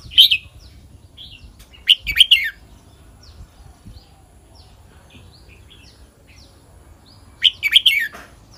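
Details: Red-whiskered bulbul song of the kwik-jok-khwai-liang type: clusters of loud clipped whistled notes at the start, middle and end, with faint scattered chirps in between and soft ambient noise.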